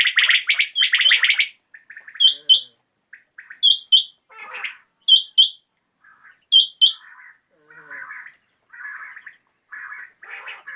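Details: Common quail calling in the evening: a rasping burst of notes opens, then sharp high paired notes come every second or so, with softer buzzy notes after them.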